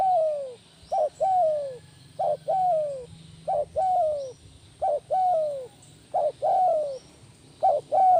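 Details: Spotted dove, a kept tekukur being trained into a lure bird, calling actively in the kuk 1 style: short cooing phrases, each a brief note followed by a longer falling coo, repeated steadily about every one to one and a half seconds, with a faint low hum beneath.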